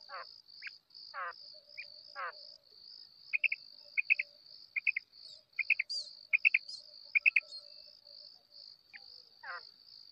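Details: Calling female quail: runs of quick doubled chirps repeated roughly twice a second, framed by a few longer downward-sweeping notes, with a constant high-pitched ringing tone throughout.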